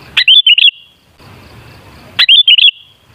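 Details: Lure song of a sooty-headed bulbul meant to make bulbuls sing: two bright warbling phrases two seconds apart, each a rapid string of four liquid whistled notes, over soft background rumble.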